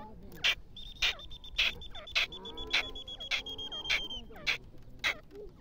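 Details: Partridge (teetar) calling: harsh, broadband bursts repeated about twice a second in a steady rhythm, over a thin, continuous high whistled tone and faint lower wavering sounds.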